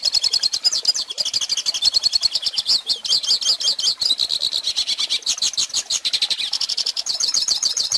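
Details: Hooded Siskin in sustained song, used as a teaching recording for young birds: a long, unbroken stream of high, fast twittering notes and buzzy trills, varying phrase after phrase.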